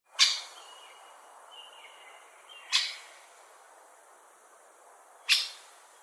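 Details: Three sharp, clipped 'kik' calls from a great spotted woodpecker, spaced about two and a half seconds apart, with soft whistled notes of another bird between the first two.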